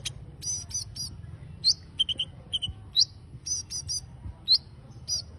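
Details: Bird song of spaced clusters of high, bright chirps and short sweeping whistles, repeated at irregular intervals over a quiet low rumble.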